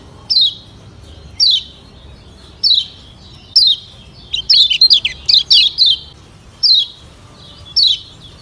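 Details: Lombok yellow white-eye, locally kecial kuning, used as a lure sound: high, sharp chirps slurring downward, spaced about a second apart, with one quick burst of tumbling notes midway; faint low hum beneath.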